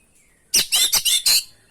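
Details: Oriental magpie-robin (kacer), masteran lure song: one second of five loud, harsh, buzzy notes delivered in quick succession.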